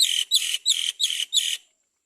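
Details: Great myna baby begging while the mother bird carefully feeds it: five harsh, hissing rasps, each roughly a quarter second long and evenly spaced, ending in silence.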